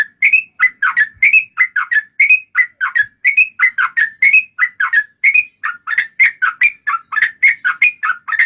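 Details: Lively yellow-vented bulbul song meant as a lure for other bulbuls: a long flowing sequence of liquid, rolling whistles and quick chuckling notes, evenly paced and clean, with no other sounds.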